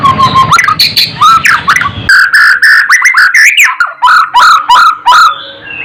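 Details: Singing White-rumped shama, used as training audio to rouse other birds: a varied run of fluty, warbling whistles and sharp chips, with a noisy rumble at the start.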